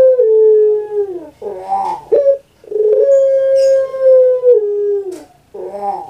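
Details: Caged puter pelung dove, a bird kept in Indonesia and known on Java: long drawn-out hollow coos, each a sustained steady tone that dips at its end, separated by short gurgling rolls, repeated in quick succession.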